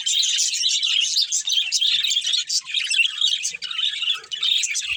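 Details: A budgerigar family at play: continuous, high, chattering warble made of countless quick chirps and buzzy trills, rising and falling in loudness without pause.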